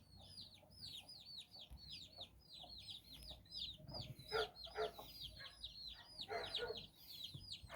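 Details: Chicken chicks, nine of them, out exploring with their mother hen in Bizkaia, Basque Country; a rapid, irregular stream of high, downslurred peeps, some overlapping, with a few lower clucking notes around the middle.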